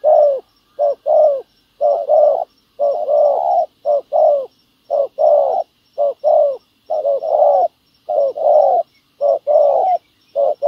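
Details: Low, mellow cooing of a spotted dove in a ground decoy trapping setup luring wild field doves: a brief note followed by a longer hollow coo, repeated in a steady series of about a dozen phrases.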